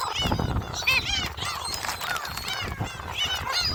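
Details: A flock of gulls at Jebudo being fed shrimp crackers: many overlapping mewing, harmonic squeals rise and fall in quick succession, with murmuring voices and a low hum underneath.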